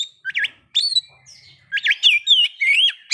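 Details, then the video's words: Oriental magpie-robin singing, as a lure for breeding condition and aggression. Two brief clusters of warbled, looping whistles separated by a quiet pause of about a second. "pancingan agar kacer capat birahi dan emosi terampuh"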